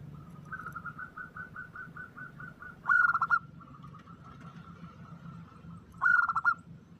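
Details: Female zebra dove calling to attract a male in an omyokan lure recording: soft, evenly spaced cooing notes roll on steadily, broken twice by louder, harsher stuttering bursts, over a constant low droning hum.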